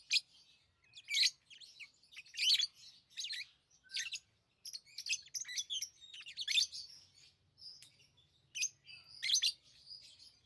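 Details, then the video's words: Tame lovebirds giving harsh, high twittering chirps in separate bursts spread over ten seconds, some notes rising sharply, with brief silences between clusters and a faint low hum beneath. "Love birds Sounds | lovebirds chirping sounds"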